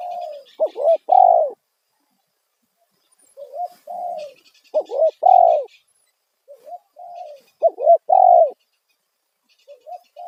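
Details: Spotted dove calling loudly as a lure for wild doves: three coo phrases, each a soft rising note then two or three strong slurred coos, separated by quiet gaps, faint bird twitter in the background.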